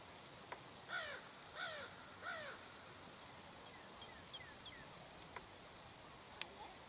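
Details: An American crow (Corvus brachyrhynchos) in Fort Erie on 19 March 2021 gives three harsh, hoarse caws about two-thirds of a second apart, followed by faint chirps from smaller birds and a few sharp clicks.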